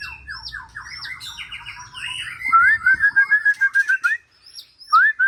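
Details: Song of a white-rumped shama: a fast jumble of chirped and slurred notes, then a loud run of evenly spaced clear whistles ending in a rising whistle.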